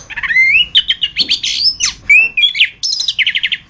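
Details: Chestnut-capped thrush (anis kembang) in a master recording for training songbirds: a rich, nonstop medley of rising whistles, buzzy notes and chatter, ending in a quick run of repeated clipped notes. Background quiet.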